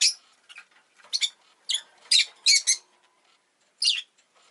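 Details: Rosy-faced lovebird, a pet bird that has just laid an egg, calling in quick shrill squawky bursts grouped in twos and threes, with low scratchy noises between.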